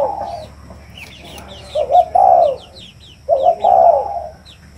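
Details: Spotted dove cooing in low, rounded phrases that rise briefly then fall, two full phrases heard, accompanied by thin high chirps of other birds.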